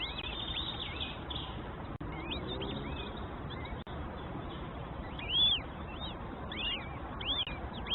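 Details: Nestlings in their nest, fed by their mother: thin arched chirps repeated irregularly over a steady hiss of background noise, with one louder burst midway.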